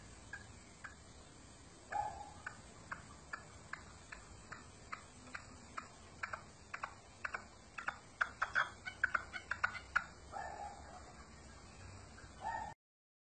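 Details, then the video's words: Partridge gives a run of dry, clucking chuk notes that speed up into a quick rattling series, with a few hoarse, nasal bursts at the start and end. "صوت الحجل"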